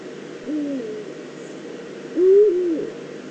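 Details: Eurasian eagle-owl, probably a female, calling at its nest scrape in the Eifel on 22 September 2014: a soft low hoot, then a louder drawn-out call with a slight wavering dip at its end.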